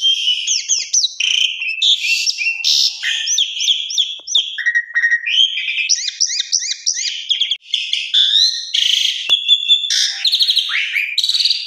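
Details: Asian pied starling trigger song for breaking the fast, full of varied fills: a loud, rambling medley of squeaky whistles, harsh chatters and rising and falling slurred notes delivered almost without pause.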